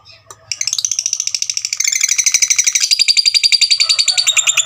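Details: Fighter lovebird giving a long trill meant to provoke rivals: a fast, buzzy, rattling chatter of rapidly repeated high notes that runs for about four seconds, rising in intensity partway through, after a brief opening chirp.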